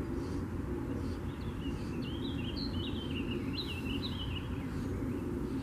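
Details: Baltimore oriole (Icterus galbula) at Mount Auburn on 17 May 2024, during mating and nesting, gives a run of quick, wavering whistled notes for about three seconds over a steady low rumble of traffic or wind.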